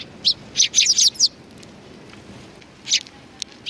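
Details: Eurasian tree sparrows gathering at food at a Tenmangu shrine, April 2019: a loud, close, rapid chatter of five or six bright chirps, a pause, then two more chirps, in a quiet setting.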